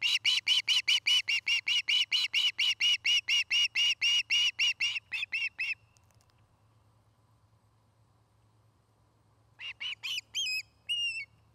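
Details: Afternoon calls from a nesting osprey pair in Charlo, Montana: a long, rapid run of about twenty-five piercing chirps, a few seconds of quiet, then a short burst of rising, upslurred whistles.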